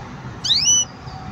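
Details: A green canary utters a single upslurred whistled note that levels off and fades, heard against a low background hum.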